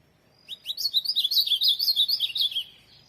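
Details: A tournament-class ultramarine grosbeak gives a bright, hurried warble of rising and falling slurred notes, about two seconds long, clear against near silence.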